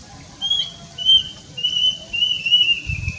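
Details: Plaintive cuckoo, also called kedasih or emprit ganthil, producing a descending chain of long, piercing whistled notes that run into one another, with a brief low thump near the end.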